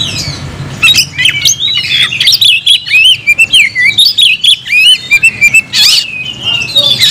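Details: Kacer (oriental magpie-robin) caged and in full song: a fluent string of looping, warbled whistles and quick chirps, clear and loud, with only a soft low hum behind.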